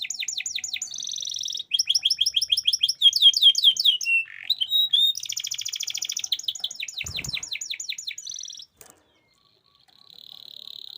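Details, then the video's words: Lure song of a canary, played to help young canaries learn and to rouse silent singers. Swept chirps and rapid trills alternate with harsh rasps and pure whistles, followed by near silence and one faint, steady whistle. "kenanari paut langsung nyaut bunyi"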